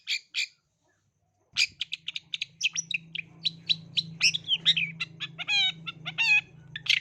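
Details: Long-tailed shrike lure song for young shrikes: two rasping notes, a pause, then a long varied torrent of harsh chatters, squeaky whistles and trilled phrases, over a steady low droning hum.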